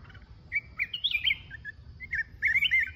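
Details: Red-whiskered bulbul of the mountain type singing alone, giving a brief burst of clear warbled whistles that slide up and down, with a pause before a final rapid twittering phrase.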